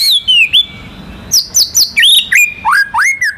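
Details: White-rumped shama, a national contest winner, sings a varied filler song that spurs other birds: falling and rising whistles, then a run of sharp upslurred notes and looping slurs, delivered about four to a second.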